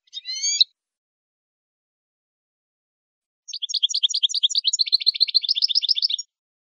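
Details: Saffron finch song from a recording made for teaching captive birds: a short harmonic chirp, a pause, then a long rapid run of sharp high notes speeding into a dense chattering trill. No other sounds.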